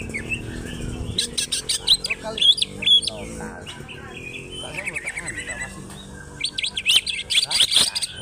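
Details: Local-origin greater green leafbird from Alas Purwo, Banyuwangi, performing a nonstop fighter song, tail spread. High whistles, slurred upward notes and fast trilled runs alternate with sharp clicks in dense, irregular bursts.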